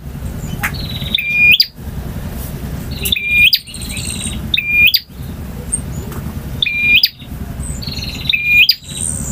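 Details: Song of a male bar-winged prinia in variation styles called ngotot, ngalun and kristal: harsh buzzy trills ending in sharp whistles, repeated every one to two seconds against a low rumbling background.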